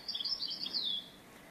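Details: European goldfinch song recorded during trapping, a brief bubbling twitter of quick high notes that rises and then slides down into a thin drawn-out tone before fading.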